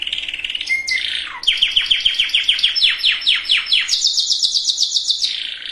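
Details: Canary song meant to prepare females and males for breeding: a bright high warble opening into rapid repeated trills, each phrase a string of quick notes, ending on a sustained buzzy high roll.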